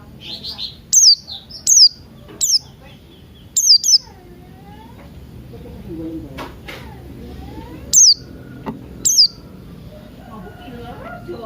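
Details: Morning song of Buxton's white-eye, played to coax other birds into singing: sharp, high, downslurred chirps, singly or in pairs, separated by gaps of one to four seconds, with faint lower sounds in between.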